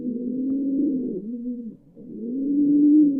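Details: Pigeon giving a continuous low rolling coo that swells, dips briefly into near silence, then rises again to a louder throaty note.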